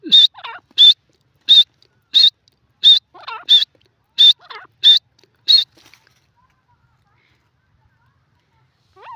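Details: Grey francolin, known locally as teetar, calling in a shrill, high series of about nine clipped whistled notes, one every 0.6 seconds or so. Fainter lower, twisting notes weave between them, and the series stops abruptly after about five seconds.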